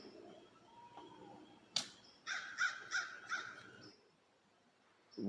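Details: Crow by a river in Piqua, Ohio, during the total solar eclipse of 8 April 2024, as the sky darkened and crickets started, gives four harsh, hoarse caws in quick succession; a sharp click before, faint hum throughout.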